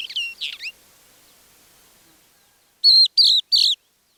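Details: Crested Lark singing softly at Manych, 21 April 2024, its song here copying a Common Linnet: a few quick chirpy notes, a pause, then three loud, even, buzzy notes repeated in quick succession.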